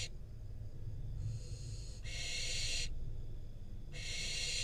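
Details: Fledgling barn owl, wild, in Israel, fed a rodent by its parents on a nest camera. A faint hiss, then two strong raspy screeches about a second long, spaced roughly two seconds apart, with low background hum.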